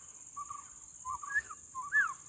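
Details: Black-hooded oriole perched far off in Konkan forest, calling repeatedly: three short, liquid whistled phrases, each rising then falling, about one second apart, with a steady high insect drone throughout.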